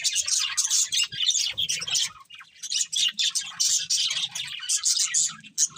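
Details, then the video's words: Budgerigars feeding and singing together: rapid bursts of bright chirps and buzzy warbles that pause briefly near the middle before the busy twittering resumes, with soft low knocks underneath. "Beautiful Budgies Singing and Eating"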